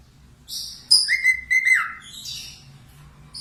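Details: Budgerigar used to train cockatiels to sing. After a sharp click, a short burst of sustained whistles is laced with rapid ticks and ends in fainter buzzy warbling.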